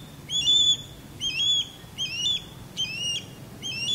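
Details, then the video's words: Male osprey in courtship sky dance low over a backyard, giving short bursts of high, clear whistled chirps, about one burst a second, over a faint low rumble; a female calls loudly from a longleaf pine below during the display. "Osprey Sky Dance And Mating Calls"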